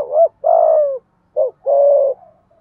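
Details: Spotted dove kept as a decoy to provoke wild birds, giving two full phrases. Each phrase is a short rising coo followed by a long husky coo that slides downward.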